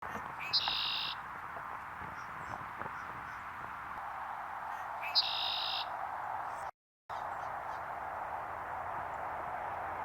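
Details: Red-winged blackbird recorded with a Sony a7V camera: two songs about four and a half seconds apart, each a few short clipped notes leading into a harsh, buzzy trill lasting half a second, over a steady broad rushing background noise.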